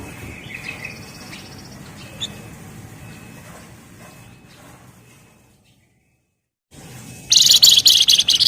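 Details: Javan Fulvetta (flamboyan) in lively ngebren song: after quiet scattered notes and a silent gap, a loud dense burst of rapid high buzzy chattering notes closes the recording.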